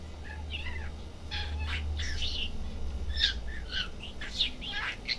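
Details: Budgerigar chattering in a pet shop: a busy run of quick chirps, twittering and short warbled notes that grows denser toward the end, over low background hum.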